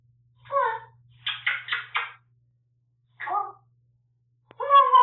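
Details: Pet parrot talking indoors after a live stream: short speech-like phrases with clear vowel sounds, a quick burst of three syllables, then a pause, one more syllable and a final phrase, over a faint low hum.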